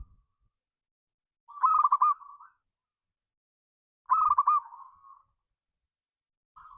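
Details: A local zebra dove (perkutut) gives soft, rapid cooing phrases near mid pitch, a burst of trilled coos that trails off, repeated every two and a half seconds.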